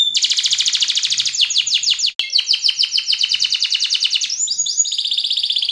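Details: Yellow canary in full, vigorous song: fast rolling trills of repeated notes, one tour sliding into the next, with high whistled sweeps and a steady buzzy run near the end; song loud and continuous throughout.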